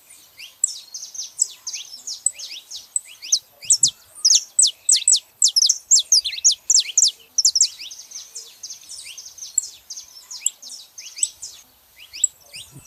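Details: Saffron finch pair, male and female, chattering: a long, lively, overlapping stream of high, sharp descending notes, densest and loudest through the middle, then tapering to scattered chips, in otherwise quiet surroundings.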